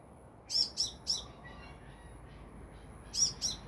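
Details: Sunbird a few meters up: three rapid, sharp high notes, a pause, then two more, over quiet background hiss.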